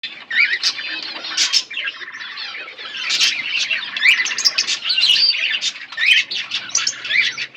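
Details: A pair of pet budgerigars chirping: continuous warbling chatter of buzzy notes and short whistled upsweeps, dense and irregular, with brief louder bursts throughout.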